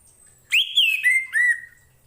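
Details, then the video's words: Orange-headed thrush song phrase offered as tutor audio for other birds: four rich, loud whistles, the first rising, then slurring gently downward to lower, mellow notes. "KICAU ANIS MERAH"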